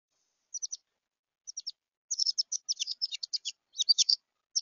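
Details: Apparent juvenile Carolina wren at a bird feeder, excited and flapping, giving high, thin chips, first in small spaced groups, then in a quick excited run of sharp notes; no other sounds.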